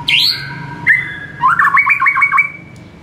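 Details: White-rumped shama (murai batu) morning song for training caged birds. A loud high downslurred whistle is followed by a rising note, then a rapid series of about seven stuttered bright notes.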